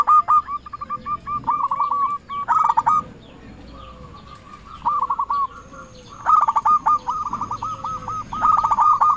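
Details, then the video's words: Local zebra dove lure calling rivals, with long runs of fast, rhythmic coo notes that speed up into dense trills, pausing briefly midway, over light background noise. "Perkutut lokal gacor RAJA PIKAT memanggil lawan sekali dengar bikin semua perkutut nyaut"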